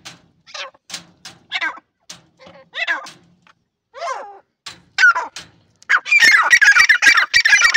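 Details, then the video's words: Irani teetar, a partridge, giving scattered short clucks and chirps at first, then breaking into a dense, loud burst of harsh chattering notes near the end. "irani teetar ki awaz"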